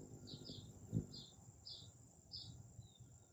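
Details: Hummingbird visiting a feeder in the morning, iPhone 11 set on a tripod beside it: faint, high, squeaky chips, some doubled, spaced unevenly over steady background hiss and one low knock.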